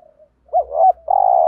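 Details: Spotted dove cooing, used as a decoy to lure wild doves: a soft, faint low note, a pause, then a warbling two-part coo followed by a loud, steady, slightly buzzy sustained coo at the end.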